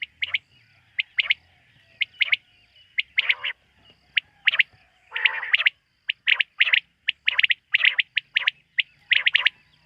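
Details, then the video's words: Quail at night giving sharp, high chirping notes in quick bursts of two or three, repeated many times with short pauses between; little else is heard. "Bater ki rat wali awaz ۔۔quail sound of night"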